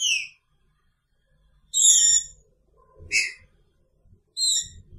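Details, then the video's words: Green-winged saltator caged together with a female, singing in the Picharro style: three clear whistled phrases with bright high slurred notes, each under half a second, separated by gaps of about one and a half seconds; faint low rumble in between. "Trinca Ferro com sua fêmea!! Picharro"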